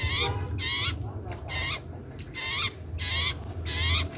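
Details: Common iora calling loudly and persistently at close range: strong, nasal, buzzy notes with bright wavering overtones, about six in four seconds, each slightly bent, over faint low hum.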